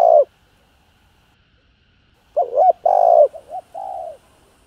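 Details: Spotted dove giving calling, urging and soft coos meant to excite newly caught birds. A short coo is followed by a pause, then a cluster of hollow coos, one long and several brief wavering notes.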